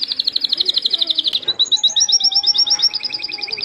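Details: Canary delivering a rapid high trill, then switching to a paired, slightly slower trill of doubled notes with a lower trill beneath; a faint steady low tone is heard midway.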